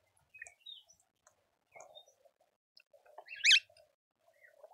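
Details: Speckled mousebird visiting a suburban garden feeder in Pretoria, South Africa, gives one loud, high, buzzy call of stacked dipping notes, set among faint scattered chirps and a quiet low murmur of other birds.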